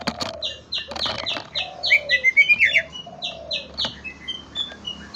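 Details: Song of a greater green leafbird: a rapid, steady train of short high downslurred chirps runs throughout, broken by a loud warbled whistle phrase in the middle and several lower, drawn-out sliding notes.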